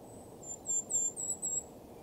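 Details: In winter at Schoodic Point, Acadia National Park, on the Maine coast, a Golden-crowned Kinglet gives a quick run of four very high, thin, sibilant tsee notes over a faint low background rumble.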